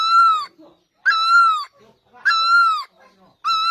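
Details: Great barbet from Asia giving loud, harmonic-rich mournful notes, each swelling briefly then sagging downward at its end, spaced about 1.2 seconds apart in a steady series of four, with near silence between.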